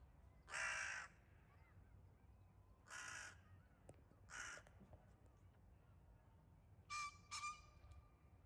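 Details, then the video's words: Harsh caws from crows attacking a wildcat on 9 May 2022, spaced roughly every one and a half seconds, then a closing pair of shorter, more nasal caws; low background hum throughout. "A Wildcat attacked by crows"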